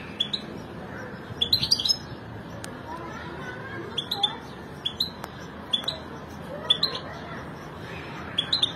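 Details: A family of European goldfinches giving short, rising twittered chirps in small clusters every second or so over a low background hum, with a few clicks.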